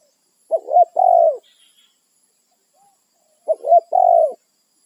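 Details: Wild territorial spotted dove calling companions with two full cooing phrases, each a pair of quick hooked coos followed by a longer falling coo, about three seconds apart.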